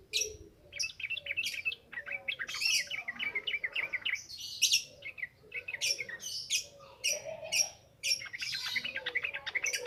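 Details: Continuous wild-style yellow-vented bulbul song for training birds: dense, chattering bursts of bright chirps and bubbly notes repeated with brief pauses, lively throughout.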